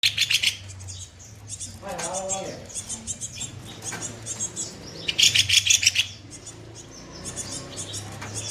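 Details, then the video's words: Kopi-kopi songbird singing training material, rough-shot style, used to teach other songbirds: bursts of rapid, harsh, high chirps lasting about a second, separated by quieter gaps with a low murmur and faint lower warbles. "Masteran burung KOPI KOPI bahan gacor tembakan kasar"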